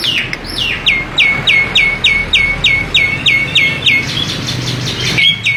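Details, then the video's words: Starling (jalak) repeating a crisp, downward-slurred whistled note about twelve times in quick, even succession, then shifting to softer chirps, with a low background hum. "Burung Jalak"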